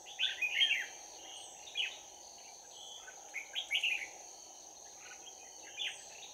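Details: Red-whiskered bulbul recorded on 11 January 2019 while a decoy bird was used for trapping. It gives a bell-like fighting song in short warbled, slurred phrases, repeated several times, over a steady high insect whine and a constant low buzz.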